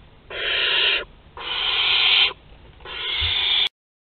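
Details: Barn owls at a Théding nest on 22 August 2020 as food is delivered amid agitation: three long, rough hissing screeches, each under a second, evenly spaced with short silent gaps.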